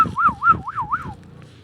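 A ringneck parakeet gives a clear, wavering whistle that rises and falls about four times in a second, like a warbled siren, over faint background noise.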